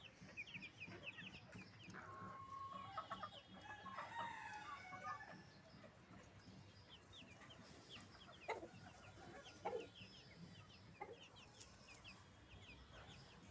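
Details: Tiger chickens raised for egg production on a farm; a cluster of harmonic, nasal clucks and short calls fills the first five seconds, followed by a few isolated sharp notes near the end over steady background noise.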